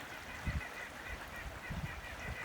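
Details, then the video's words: A White-breasted Nuthatch high in the trees of an old-growth Acadian forest flood plain in northern Nova Scotia gives faint, nasal calls several times a second from a distance, over soft forest ambience and low handling thumps. "I don't know if you can hear that, but that's a white-breasted nuthatch up there."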